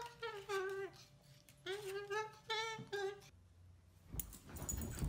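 A cockatoo sings a wordless, tune-like series of three-syllable phrases in a voice like a human voice. The ending is a burst of rustling noise.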